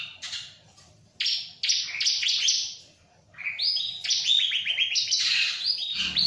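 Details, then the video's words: Bar-winged prinia (ciblek) singing: a buzzy note, then rapid chattering phrases and a quick run of repeated chirps building into a dense, continuous stretch. "Burung CIBLEK ga stress sama jalak"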